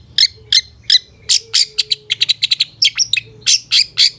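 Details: Long-tailed shrike master recording for training caged birds, in the 'satu titik nagen' style: sharp, high chirped notes given in quick bursts, about fourteen in four seconds, some doubled or clustered, with a faint low hum beneath.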